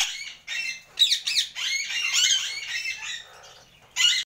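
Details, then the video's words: Pet Indian ringneck parakeet chattering in a continuous stream of scratchy, buzzy squawks and chirps for about three seconds, ending with one sharp screech. "Indian Ringneck Parrot Sounds"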